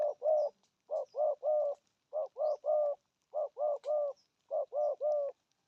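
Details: 'Thổ âm' cooing from a spotted dove: mellow low triplets of coos, the last note of each slightly longer, repeated in four even groups with quiet gaps between.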